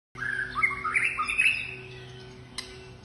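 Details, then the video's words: White-rumped shama in rich, varied display song: a quick run of fluty whistles and warbled phrases over about two seconds, with a faint steady hum behind. "White-rumped shama Display kích chòe lửa hót nhiều giọng"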